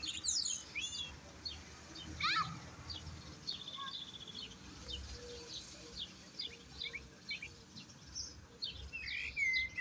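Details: European goldfinch song: quick high twittering notes and short rising whistles scattered through the clip, with a louder sweeping whistle near the end, over low background rumble and a faint voice.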